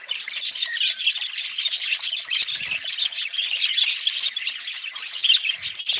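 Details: Steady budgerigar warbling, a busy mix of sharp chirps, short squawks and scratchy trills packed closely together and holding an even loudness.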